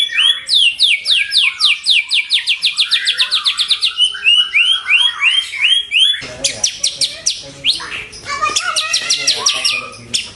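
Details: Pet-bird lure and master recording of white-rumped shama singing: rapid high descending notes in a steady series, then dense varied twittering and a burst of sharp, crowded high chips.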